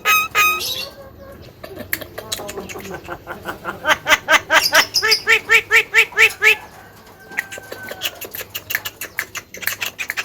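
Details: Javan myna, kept as a talking bird, mixing sharp chatter with a long string of rhythmic, nasal, laughing notes around twice a second, then softer clicking and a drawn whistle.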